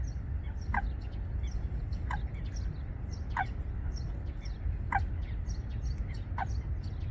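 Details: Wangsong Lake Eurasian coots, a pair beginning a nest among water plants: five brief, sharp calls at irregular spacing, with thin high chirps of other birds and a steady low background rumble.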